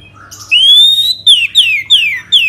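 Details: Orange-headed thrush singing a lure song from Kubutambahan, Bali, to prompt other birds. A long, loud, slightly rising whistle is followed by four sharp, downward-slurred whistles at roughly half-second intervals.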